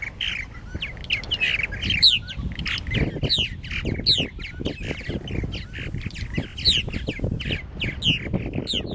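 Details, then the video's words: Purple martins at their nesting gourds at Lake Mackintosh, Gibsonville, North Carolina, chatter nonstop with gurgling, croaking notes and frequent rising whistled chirps from several birds, over a steady low rumble of wind or handling noise. "Purple Martins At Their Nesting Gourds"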